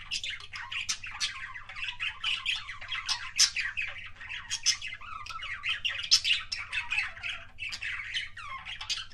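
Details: Kissing sounds from a pet budgerigar: dense, lively warbling chatter of clicks, buzzy notes and sharp squeaks, continuing for nine seconds with a quiet hum underneath.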